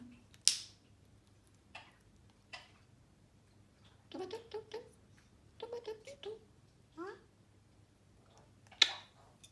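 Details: A pet African grey parrot, eating from a spoon and talking, gives a few short voice-like bursts of syllables in the middle, with sharp clicks near the start and end, in a quiet room.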